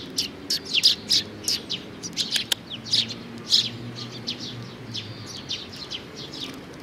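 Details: Chick sparrow chirping: sharp high notes spaced unevenly, denser early, then fading to softer scattered peeps.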